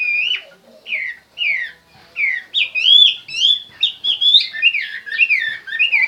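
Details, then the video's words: Chinese hwamei song, loud and varied: a series of rich whistled phrases, first slurred downward notes repeated about every half second, then faster rising and falling warbled notes running together, with no other sounds. "chim hoa mi hot"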